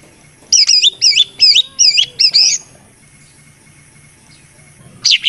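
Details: Greater green leafbird (cucak ijo) lure song: five quick looping whistled phrases, each twisting high and sweet, repeated about every half second, then a pause and a short bright burst at the end.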